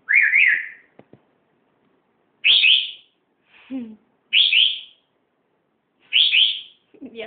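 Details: Grey parrot (Psittacus erithacus), a pet named Nino, out of its cage for the first time, gives loud, rising whistles about every two seconds with soft, low talking-like sounds between them. "Hola" is heard nearby. Whistled call.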